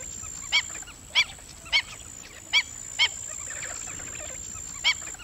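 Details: Black-winged stilt uttering sharp, yapping, dog-like kek notes, six loud ones spaced about half a second apart with a pause before the last, fainter calls between them and a steady thin whine above.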